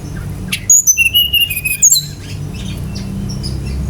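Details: Brown-chested jungle flycatcher in full song, played to stimulate other birds to sing: a single rapid phrase of piercing high whistles sliding down into warbled lower notes, then only soft hiss.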